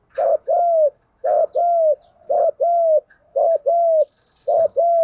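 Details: Spotted dove lure recording for training decoy birds: steady rhythmic two-part coos, a short note then a longer level coo with a slight fall, repeated about once per second.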